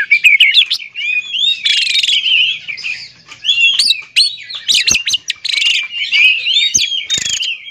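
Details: Song of an oriental magpie-robin, played to stir silent magpie-robins into singing. Rapid, varied whistles rise and fall, broken by harsh scratchy bursts and short sharp chips, and the singing barely pauses throughout.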